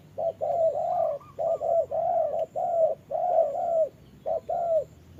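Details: Spotted dove used as a decoy in trapping, fighting a wild bird in the rain: low, soft, rounded coos in quick runs of two to three notes, with short pauses and a faint steady hum beneath.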